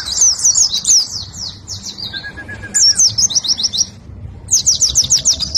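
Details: A competition Oriental white-eye (Zosterops palpebrosus) sings rapid, high, twittering phrases in bursts of one to two seconds, with a brief lower series of repeated notes between them.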